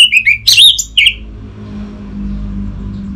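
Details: Orange-headed thrush, caged bird in Bali, a brief fragment of sharp, slurred whistled notes lasting about a second, then low hum only.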